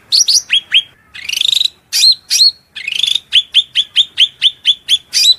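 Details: Piercing cucak rante song of sharp whistles and buzzy notes, then a steady series of about ten identical high chirps in quick succession.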